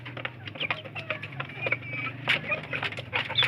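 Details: Native village chicks fighting over food utter thin high peeping chirps, some brief and bent, amid irregular pecking ticks and a steady low hum.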